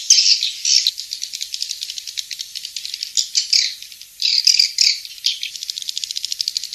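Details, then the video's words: King's Star lure sound of swiftlets, used to call birds to farmed nest houses. High twittering opens, followed by long, fast pulsing trills that buzz steadily, with a second burst of loud chirps near the end. "Suara Walet King'S Star"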